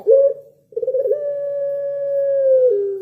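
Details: Puter pelung (Barbary dove) singing its pelung-style coo: a short rough coo, a brief pause, then a trembling onset leading into one long, steady, drawn-out low tone that drops slightly at the end.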